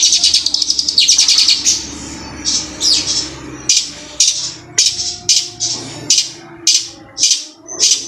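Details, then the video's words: A shrike (cendet) singing Hill Prinia song loudly, with long rapid bursts: a high, shrill fast rolling trill, then loud, sharp bursts about twice a second over a faint low hum. "Cendet suara ciblek gunung kristal roll speed tembak panjang"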